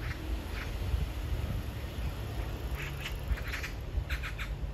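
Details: Magpie calling to a mate a few metres away, a persistent love serenade: a short run of harsh, rasping notes near the end, three to four in quick succession, over steady low wind rumble.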